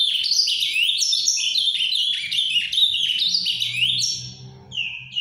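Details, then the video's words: Ultramarine grosbeak, a legally kept captive azulão of the 'farrapo' canto paraná type, delivering a lively chain of swooping, down-slurred high notes that slows toward the end with a final short phrase; faint low hum beneath. "AZULÃO CANTANDO MUITO (AZULÃO FARRAPO)"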